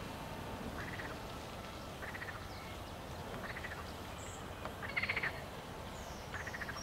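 European stonechat giving short, harsh clicking bursts about every one and a half seconds, with a few thin high whistles between, over a steady rushing background.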